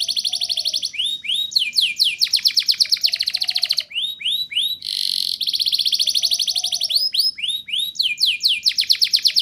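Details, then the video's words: Canary in full song, played to get juvenile canaries singing; rolling trills of repeated down-slurred notes alternate with slower swept whistles and a short buzzy burst mid-way. "Suara Burung Kenari Gacor Ngerol Nembak! Ampuh Untuk Pancingan Kenari Paud Biar Bunyi"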